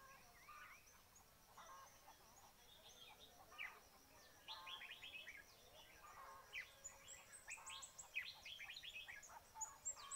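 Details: Red-whiskered bulbul heard at a trapping site, giving quick scratchy chattering phrases that grow busier and louder in the second half. They overlap with thin, high twittering from other small birds.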